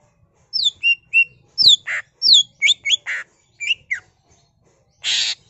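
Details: Greater green leafbird in full isian song, its repertoire of borrowed phrases, used to prompt other leafbirds to sing; quick series of clear downslurred and upslurred whistles mixed with short raspy buzzes, ending on a longer harsh rasp.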